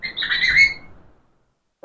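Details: Pet parrot giving one raspy, speech-like squawked phrase lasting under a second, followed by silence and a brief sharp click at the end.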